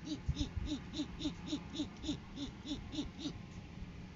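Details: Courting-season great horned owls on a live cam, 7 January 2023. The male brings a food gift and the female arrives to take it. Quick even series of short arched hooting notes, about three to four each second.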